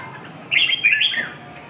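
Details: A single loud, rich warble from a red-whiskered bulbul: a quick run of liquid whistled notes, slurring up and down, lasting under a second against a quiet background.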